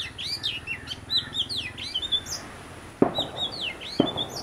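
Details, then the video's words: A pair of Oriental magpie-robins visiting; varied whistled phrases with rising and falling notes, mostly high-pitched, in quick irregular bursts, interrupted by two sharp knocks near the end. "Magpie Robin - Singing and Behaviour"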